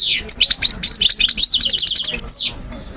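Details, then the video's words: European goldfinch song, played for young birds to learn and memorise: a rapid run of high twittering notes, liquid trills and sharp descending slurs, ending on a buzzy downward sweep. "مقنين ملك 👑 تغريد 💯 الطيور 2023🔥💥 تسميع وتحفيز تحفيظ"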